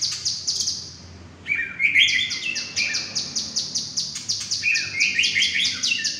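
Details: Murai batu, the white-rumped shama, an Indonesian contest prospect, gives a rapid, evenly pulsed series of sharp high chipping notes, broken by a few bright whistled slurs in the middle of the phrase.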